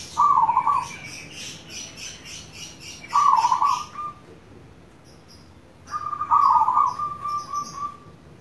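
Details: Zebra dove, local bird, singing rolling trilled coos three times about three seconds apart, the last phrase trailing into a long even note, while a lighter high twittering bird chatters in the background. Used as lure audio.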